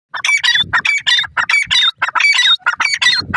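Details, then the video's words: Golden teetar, a francolin, calling: loud, harsh, squawking notes with a ringing upper tone, given in quick bursts of about one and a half per second through the clip, with a faint low rumble underneath. "golden teetar ke awaaz,partridge birds natural spking"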